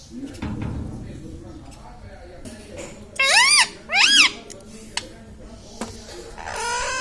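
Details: Pet Indian ringneck parakeet talking, trained to say words like mummy, papa and radhe radhe; two loud, arching, harmonic voice-like calls mid-clip and a third at the end, over a faint room hum and brief low human voice.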